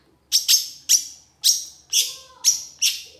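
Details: Long-tailed shrike giving heated 'gacor' singing: loud, harsh, high squawking notes. They are delivered singly or in pairs, roughly every half second, with a faint whistle in the background.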